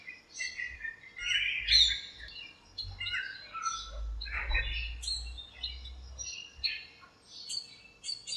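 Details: A flock of birds chatters in a home backyard lemon tree one bright morning. Mixed high chirps and trills overlap, with a steady low rumble and a soft hum underneath.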